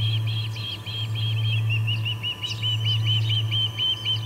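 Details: Ospreys calling at the Charlo P2 nest, August 21, 2020, afternoon, three birds present: steady repeated high, slurred whistles, about four each second, with a low electrical-sounding hum underneath.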